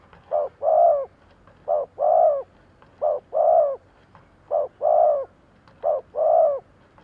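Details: Spotted dove, a decoy bird cooing in the thúc gù style to lure wild doves: five even phrases, each a short low coo followed by a longer rolling coo, repeating about every 1.3 seconds over a quiet background.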